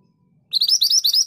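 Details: Scarlet minivet song, a quick series of high, bright, upslurred whistles repeated rapidly for under a second, with a faint low hum underneath before the singing starts.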